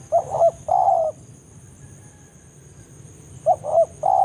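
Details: Spotted dove in forest with banggo-style lure calling to summon a rival. Two low hooting coos, then a quiet pause, then a quick double note and a longer steady coo at the end.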